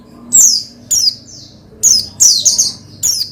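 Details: Oriental white-eye (pleci) singing to rouse another pleci: high, buzzy descending chirps and brief twittering trills in quick irregular bursts.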